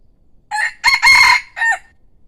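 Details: A decoy rooster crowing loudly and pleasantly: a short opening note, a brief break, then a long harsh drawn-out middle syllable and a lower closing note, with quiet surroundings.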